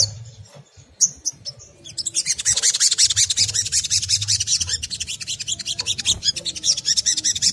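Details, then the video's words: Crimson sunbird giving a fast, chattering lure song meant to provoke others of its kind to sing: a few thin high chips, then a long unbroken stream of rapid, very high-pitched twittering notes. "SOGON ngriwik kemrecek untuk pancingan bunyi burung SOGON lainnya"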